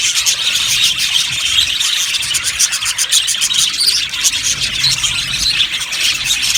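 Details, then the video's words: Many budgerigars in an aviary colony twittering nonstop, rapid high chirps and buzzy warbles layered densely, with quick clicking notes between about two and four seconds. "Beautiful Budgies sounds | Budgies chirping sounds"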